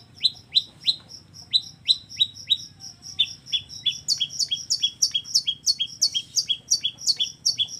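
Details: Long-tailed shrike, singing an energetic combination of filler phrases (kombinasi isian): rapid high downslurred chirps, about three per second, over a steady pulsed high piping note, and a low hum beneath.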